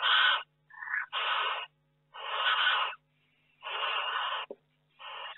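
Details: Barn owl in a nest box in May, with a second egg hatched and a third barn owl visiting; harsh, broadband rasping screeches of about half a second each, repeated with irregular gaps, plus a short sharp click.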